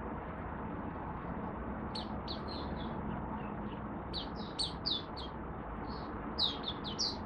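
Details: Caged Malaysian oriental white-eye singing while in a minor moult and off form, recorded 27 July 2023: thin, high twittering notes in short clusters, partly masked by a loud, steady background hiss.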